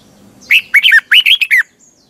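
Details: Morning singing from a red-whiskered bulbul, double tightly twisting voice used to train caged birds: a rippling phrase of about six clear slurred whistles, bouncing between notes over roughly one second.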